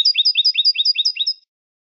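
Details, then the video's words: European goldfinch, Spanish-style song recorded for teaching young birds: a quick series of about seven paired high chirps, each a bright note over a lower down-slurred one, repeated evenly for a second and a half, then silence. "شريط تغريد الحسون الإسباني"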